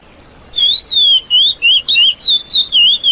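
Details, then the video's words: Lesser seed finch (curió) song offered as a model for training a young bird: a clear series of whistled, slightly slurred notes, each about a quarter second, rising and falling in pitch and repeated quickly with short gaps, over faint background hiss. "MELHORES CANTOS DOS CURIÓ ! PARA VOCÊ TREINAR O SEU FILHOTE"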